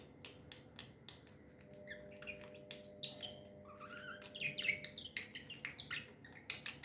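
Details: Happy budgies chirping: rapid dry clicks and ticks interspersed with soft warbling and a rising whistled note, quiet overall, with a low steady hum in the room.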